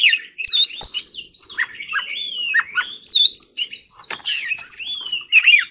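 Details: Training song of an Oriental magpie-robin in the wild 'forest voice' manner: continuous fluty whistles rising and falling, mixed with short scratchy notes and quick slurred phrases.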